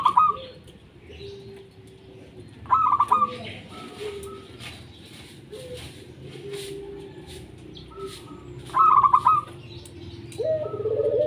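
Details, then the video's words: Local zebra dove, song used as a lure for lazy doves: three short bursts of rapid bubbling coos spread over eleven seconds, with soft low whistled notes from other birds and a faint hum throughout. "Perkutut Lokal Gacor 100% JITU Ajak Perkutut Malas Bunyi Dijamin NYAUT LANGSUNG RAMAI"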